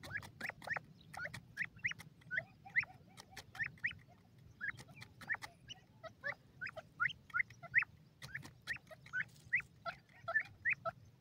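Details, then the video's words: A wild francolin (jungli teetar, possibly grey francolin) calls in a fast run of harsh, clicking notes, about three per second, over a low steady background rumble. "jungli teetar birds sounds,khani teetar ki awaz"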